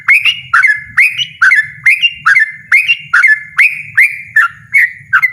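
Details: Loud, insistent 'ropel' song of a yellow-vented bulbul: rapid, liquid, dipping notes repeated about twice a second in an unbroken chain, with a faint low rumble underneath.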